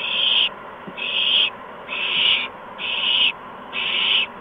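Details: Around 8 PM on 13 March 2015, as adult owls deliver mice and a gopher to three owlets, five rough hissing screeches repeat at a steady rate of about one a second over a constant low hum.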